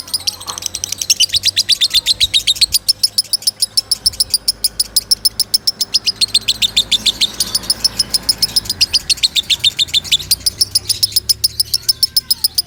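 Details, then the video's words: Loud lovebird song intended for training other birds, a long unbroken run of sharp high chips at about three to four per second, steady throughout, over a faint low background hum. "Suara Kencang Lovebird Sukron | Untuk Pemasteran"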